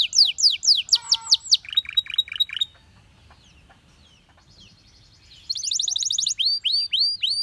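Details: Belgian canary singing: quick runs of high, downslurred whistles, a near-silent pause of about three seconds, then a bright buzzy trill and curling upslurred notes.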